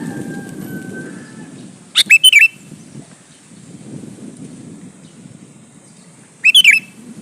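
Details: Male sooty-headed bulbul calling a female, giving two short, lively phrases of clipped, liquid notes about four seconds apart, with soft low background hum between them.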